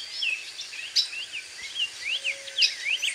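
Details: Black-faced tanager singing in the wild in Brazil, a bird of cerrado, forest edges and open vegetated areas. Quick slurred chirps, rising and falling, tumble in a steady busy stream over a hiss of background noise.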